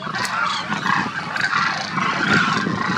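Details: Wintering demoiselle cranes, a flock migrated from Mongolia, near Kheechan village in Rajasthan's desert, India: overlapping nasal, trumpeting honks mid-pitched, rising and falling in a continuous chorus with no pauses.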